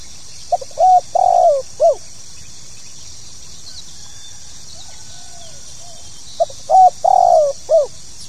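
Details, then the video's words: Spotted dove (tekukur) calls in 'pokal tanggung' style. A mellow coo phrase of pips, a flat coo, a falling long coo and a hooked note opens the recording. After a long pause with faint sounds, the same phrase returns. "SUARA PANGGILAN BURUNG TEKUKUR POKAL TANGGUNG"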